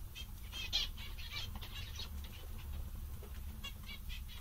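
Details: Several zebra finches, described as funny and content, give irregular nasal beeps and short buzzy calls, fairly evenly spread, against a prominent low-pitched background hum.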